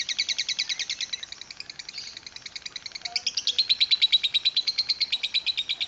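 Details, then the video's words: Lovebird giving a long ngekek chatter in the kereta uap, or steam train, style: a fast, high, scratchy run of evenly pulsed notes, about three per second, softening briefly near the middle, then returning louder and steady to the end. "Kereta_uap love bird ngekek panjang"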